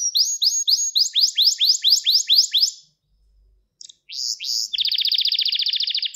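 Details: Gloster canary training song to stimulate males: about a dozen rising whistled notes in an even sequence, a brief silence, then a couple of sweeping notes and a dense, rapid, even trill.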